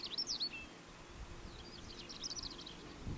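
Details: Greater short-toed lark (Calandrella b. brachydactyla) in Doñana National Park, Spain, in April 2011: quick, high twittering phrases of slurred chirps, a burst at the start and a longer jumbled run later, over a low rumble.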